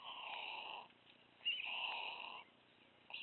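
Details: Hungry white stork nestling in Wilsum, tugging food from the parents' bills, gives loud sustained wheezing mews, two long notes about a second each separated by a short pause, then a third begins.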